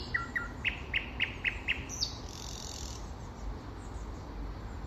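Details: Common nightingale singing in spring: a phrase of two double notes, then about six loud, evenly spaced strokes, a higher sliding flourish and a short rasping trill, over a low steady background rumble.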